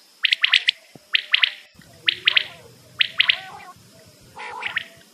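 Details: Quail calls from a recording used to lure birds for hunting: short, bright, clipped notes in tight pairs and triplets, each burst about a second apart, with low background rumble.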